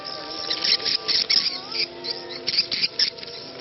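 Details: Swiftlet 'ceklok' luring sound with a faint call to prayer underneath: irregular bursts of high, dry clicking chatter roughly every quarter second, separated by short quiet gaps, with soft low tonal lines running beneath.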